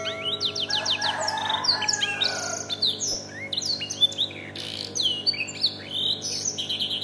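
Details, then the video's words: Domestic canary tutored with black-throated canary song: fast varied high chirps, rapid downslurred notes and trills, with a steady low hum behind. "KENARI ISIAN | BLACKTHROAT"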